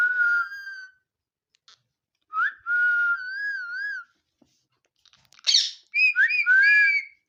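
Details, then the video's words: Pet parrot, the talking mithu, whistling steady and wavering notes in separate phrases, then a rough burst followed by several quick rising whistles. "parrot creeping sound | nice mithu talking"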